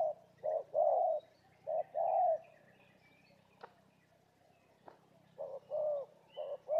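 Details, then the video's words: Spotted dove, a fighter lure bird of the Labuan type at Laman Sungai Lada, in territorial contest: bursts of deep cooing notes, a silent gap with two sharp clicks, then the coo phrase resumes; faint birds behind. "Suara tekukur enak"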